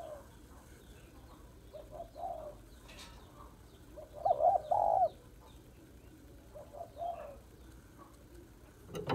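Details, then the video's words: Female spotted dove calling to arouse males, one loud paired coo midway among faint softer coos, with scattered clicks, faint high chirps and a knock at the end. "Cu gáy mái kích trống/ tiếng cu gáy mái kích trống hay"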